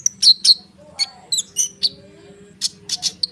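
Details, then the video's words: Konin bird singing continuously, used as a lure to prompt other birds such as sunbirds to respond: sharp, high chirps and short buzzy notes in quick clusters with brief gaps, over a faint low hum. "konin gacor ngerol suara rapat untuk pancingan kolibri bahan cepat respon!!!"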